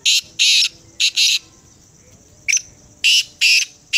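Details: Black francolin calling: loud, harsh, grating bursts in short groups of two or three rasping notes, separated by pauses, over a quiet background.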